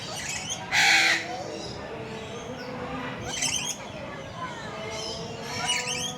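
A red lory gives one loud, harsh screech, then several shorter, raspy squawks and chatters. A murmur of voices and other background sounds run underneath.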